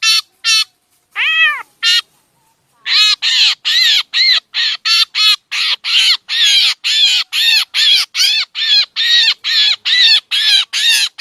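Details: Black drongo lure calls used to attract birds for trapping: a few scattered harsh notes and one rising-then-falling arched note, a short pause, then a steady run of rasping, broad-band calls, roughly two to three per second.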